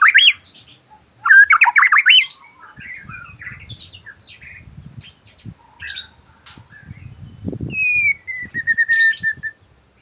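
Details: White-rumped shama in the afternoon: bursts of loud varied whistles and chattering notes, then a long clear slurred whistle near the end, with quiet low rustling between phrases.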